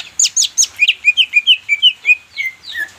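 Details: Green leafbird (cucak ijo) song played to coax silent birds into singing: three sharp descending chips, then a quick string of about ten clear whistled notes that waver up and down, ending lower.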